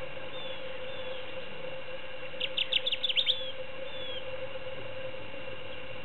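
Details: Kirtland's warbler, a rare species, singing one short burst of about seven loud, sharp, slurred notes in quick succession, lasting under a second, over a steady low background hum.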